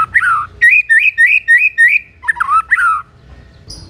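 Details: White-rumped shama singing in lively form to trigger answers from other shamas: a swooping whistle, then five quick repeated rising-falling whistled notes and a couple of lower warbled slurs.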